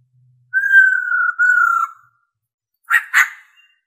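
A female laughingthrush gives a long, steady, pure whistle held for over a second, then two short, harsh, rasping notes.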